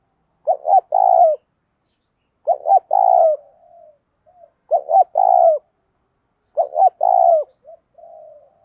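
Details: Decoy spotted dove cooing to incite fighting, four evenly spaced phrases about every two seconds, each two short notes then a longer slightly falling coo.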